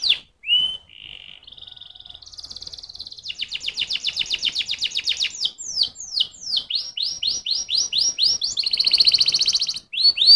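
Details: Canary singing a continuous varied phrase of whistled notes and fast rolling trills, with rapid descending sweeps repeated several times a second, a buzzy churring passage, and clear upward whistles closing the sequence.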